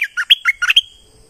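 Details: Streak-eared bulbul from southern Thailand singing a short burst of about seven quick, bright chirped notes that jump up and down in pitch, ending on a thin sustained high note. The background is quiet.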